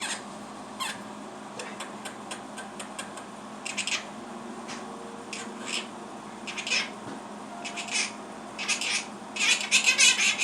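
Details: A talking monk (Quaker) parakeet chatters in scratchy bursts, imitating words like "give me a kiss" and "good boy" and sounds like "beep booboo bop."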